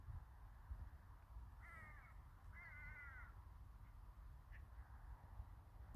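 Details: Crows in a winter village: two harsh, hoarse caws in quick succession, the second longer and wavering, over constant low background rumble.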